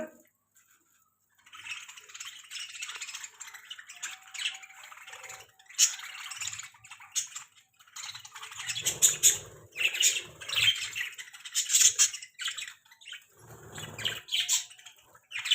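Budgerigars squabble over food with harsh, scratchy chatter and sharp squawks in quick bursts.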